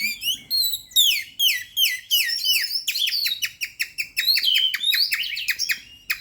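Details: White-rumped shama singing a loud, varied song of rapid whistled phrases, many sharply descending slurs and high notes, delivered in quick bursts about two to three per second with brief pauses; no other clear sounds.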